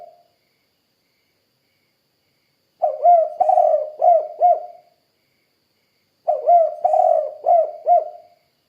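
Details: Tekukur (spotted dove) in vigorous 'kuk 2' cooing. Two complete low, hollow phrases about three and a half seconds apart, each beginning softly, swelling into a vibrating coo and finishing with two short firm notes.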